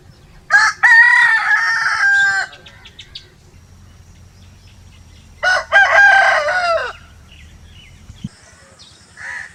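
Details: Rooster crowing twice, about five seconds apart, each crow a loud, hoarse cock-a-doodle-doo of roughly two seconds, over a faint low hum.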